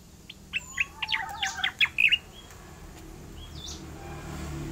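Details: Oriental magpie-robin singing actively in a rolling style: a quick burst of sharp whistled and chirping notes over about two seconds, then quiet with only a faint later note.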